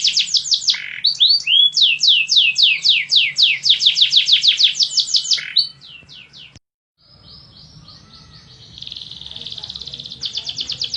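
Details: Loud, fast canary song. Rapid rolls of sharp descending syllables change pattern several times, then there is a break and a fainter, buzzier trill continues in the background.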